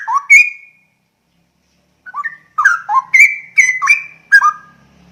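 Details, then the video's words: Straw-headed bulbul giving loud liquid whistles. An opening phrase is followed by a pause, then a burst of six or seven rich, bubbling notes that dip and rise, each starting with a crisp snap. "SUARA CUCAK ROWO MEMANGGIL"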